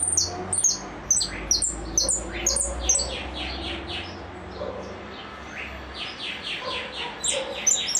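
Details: Repique-style song of a goldfinch. Quick series of high, sharply descending notes, a little more than two per second, alternating with slightly lower slurred notes, with a low hum beneath.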